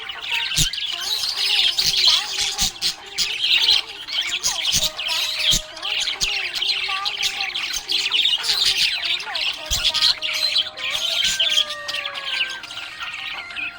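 Budgerigars chatter in a busy stream of high, warbling chirps and squawks that overlap without pause.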